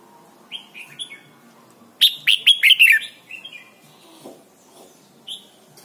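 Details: Red-whiskered bulbul singing in Thailand, used for training young birds to sing: a quick burst of loud, bubbly whistled notes near the middle, with scattered softer single whistles before and after over a quiet background.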